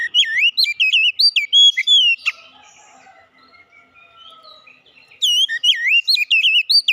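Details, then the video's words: Oriental magpie-robin song, played to help a magpie-robin that has stopped singing start again: loud, rich whistled phrases with rising and falling slurs, a quiet pause midway with a faint drawn-out note, then another bright burst. "kicauan ampuh mempercepat pemulihan Kacer macet bunyi langsung gacor"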